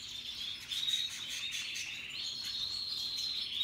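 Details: Russian yellow and Timbrado canaries among other birds, described as happily singing in a natural setting; a continuous, faint, high rolling trill with quick pulsed chirps layered over it, wavering slightly in pitch.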